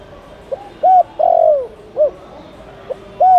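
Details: Spotted dove call played to lure wild doves: a short soft coo, then a longer hollow cooing note, a brief pause and further short clipped coos, low and mellow, with a quiet background.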